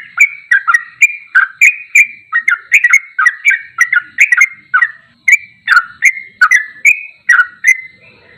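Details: Ropelan goklikan style masteran of a sooty-headed bulbul: a lively run of clipped, slurred chirps delivered rapidly, several per second, with brief pauses between bursts and a clean, quiet background.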